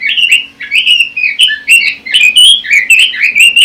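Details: Song of a Pekin robin (red-billed leiothrix) meant as training audio for competition birds: loud, tumbling warbled phrases with quick up-and-down slurs, separated by short pauses of a fraction of a second.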